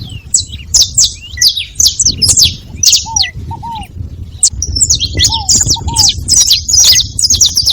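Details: Several saffron finches calling together: dense bursts of high, sharp chirps and short twittering notes in overlapping flurries. Soft, lower descending whistled notes appear in pairs, with a low background rumble.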